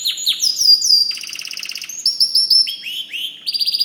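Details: White canary singing a fast, varied song of high trills and rolled phrases, switching between sweeping chirps, buzzy rattles and bright whistled notes in quick succession.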